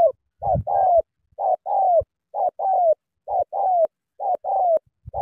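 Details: A spotted dove, recorded around midday during a cooing contest with other doves, coos steadily: a short hoot then a longer, slightly falling coo, the pair repeated about once a second.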